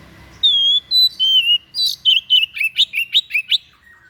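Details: White-breasted bird singing an odd song suited to song training, opening with a few long clear whistles, then speeding into a series of short, rising, chattering notes repeated about every quarter second.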